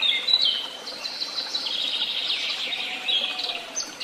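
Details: Woodland birdsong, a dense, steady chorus of high twittering and chirping notes blending without pause, over soft background hiss.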